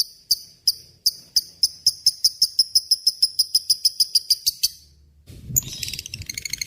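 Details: Lovebird in ngekek panjang song, a master recording for murai and kacer birds: spaced shrill notes speed up into a long regular series, then after a pause a dense buzzing chatter begins.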